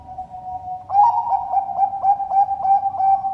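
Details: Captive Zebra dove (Bangkok perkutut) at a bird farm in Sidoarjo, East Java, Indonesia, cooing in a soft, mellow phrase of quick, rounded notes, about three per second, after a brief steady tone at the start.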